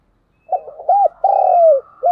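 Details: A single mellow coo phrase from a decoy spotted dove, recorded 2022: soft stuttering lead-in notes, a rounded hoop, then a long croo sliding downward and the beginning of one more note.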